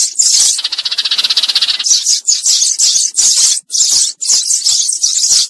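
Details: Sparrow calling its flock, used as a lure call for trapping; a fast harsh rattling trill for over a second, then a run of loud, high, scratchy chirps in quick bursts with short gaps.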